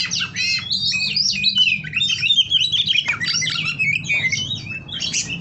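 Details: Captive white-rumped shama held by a breeder, singing a dense, varied song of rapid whistles, chattering notes and rising and falling slurs, near-continuous with hardly a pause, over a low steady hum.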